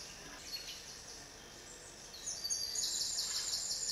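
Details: Eurasian nuthatch (Sitta europaea) in breeding season, Gargano woods, 5 May 2007: a few faint high notes, then a quick run of bright, piping notes at about five per second, over a steady background hiss.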